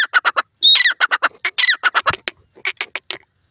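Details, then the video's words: Grey francolin (shesha teetar) calling in Pakistan: a rapid series of harsh, squawking bursts, roughly one per second in clusters, with one higher whistled note early on, broken by brief pauses. "shesha teetar ki awaz,gry pheasant bird beautifull awaz"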